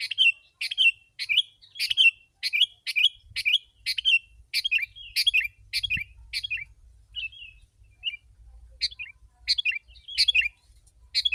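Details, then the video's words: A very active sooty-headed bulbul sings as a wild-bird lure: rapid bubbly phrases with sharp onsets tumble out closely, pause briefly midway, then resume more loosely. "Kutilang si.ladusing super gacor suara rapat menekan burung liar"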